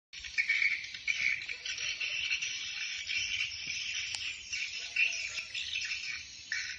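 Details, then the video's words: Swiftlet flock-calling sound from Bình Định, Vietnam, used to draw birds in. A continuous dense mass of high, buzzy, chattering twitters, steady and unbroken, with brief brighter chirps standing out. "ÂM THANH KÊU GỌI BẦY CỦA CHIM YẾN"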